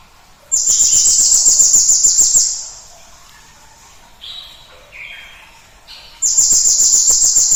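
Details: Cinereous tit song played as a lure to get other birds singing: a two-second, high, rapid, buzzy trill, a quiet pause broken by a few short lower notes, then the trill resumes.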